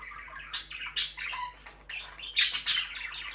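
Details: Budgerigar chirping indoors: two loud clusters of sharp, squeaky chirps and a brief whistled note between them, over a low steady hum.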